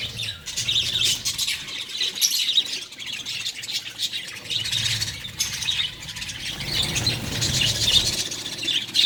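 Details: Breeding budgie colony with colourful nestlings sharing one nest: continuous shrill chirps and squawky chatter, several birds calling at once, rising and falling in loudness.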